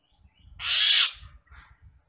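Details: A single loud, harsh, hissing screech lasting about half a second from an agitated Nias hill myna, followed by a fainter rasp, with low rumbling handling noise underneath.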